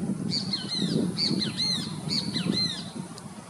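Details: Common gallinule (Gallinula galeata) at Parque Oriental, Ribeirão Pires, São Paulo state, Brazil, in September 2022: clusters of short, nasal, slightly harsh notes about once a second, over a low background rumble.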